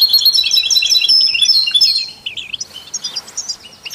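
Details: European goldfinch singing together with canaries and mules to stimulate other songbirds: two seconds of dense, bright twittering and trills, then softer scattered chirps and short warbled notes.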